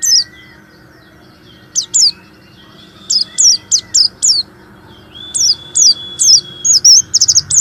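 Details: Warbling white-eye singing to stimulate other white-eyes that rarely sing: scattered sharp high chirps in pairs and triplets, building to a quick wavering trill at the end, over a faint electrical hum.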